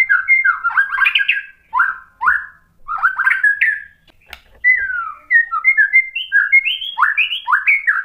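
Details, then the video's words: White-rumped shama song used as a lure to stir another bird into answering: rich whistled phrases, some sliding down and others rising, delivered in quick varied bursts with brief pauses between groups. "KICAUAN MURAI BATU merangsang EMOSI jadi NYAUT GACOR NGEPLONG BONGKAR MATERI | PANCINGAN MURAI"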